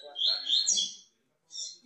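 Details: Double-collared seedeater singing loose outside its cage: a fast, high twittering phrase of sweet notes for about a second, a pause, then a brief burst more; faint voices underneath.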